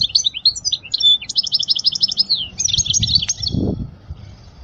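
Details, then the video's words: European goldfinch song intended for teaching young goldfinches: continuous fast, bright twittering with rapid repeated metallic notes, fading out near the end with a low thump. "اجمل غناء لتعليم صغار الحسون"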